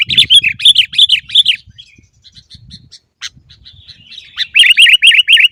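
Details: Sooty-headed bulbul in a recording meant to make caged birds sing: loud, chirpy, downslurred notes in quick series, a quieter gap with thin notes, then another rapid run of bright chirps about four per second.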